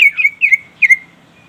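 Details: Greater green leafbird calling out to a rival, giving three loud, clear whistled notes, each sliding down, spaced about half a second apart, the last trailing off into a faint steady whistle.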